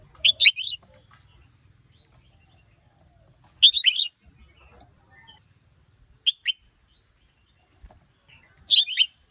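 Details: Red-whiskered bulbul male, excited by a nearby female, repeats short clusters of bubbling whistled notes roughly every three seconds, in the 'sổ bọng' and 'ché' song styles, with faint low hum between phrases.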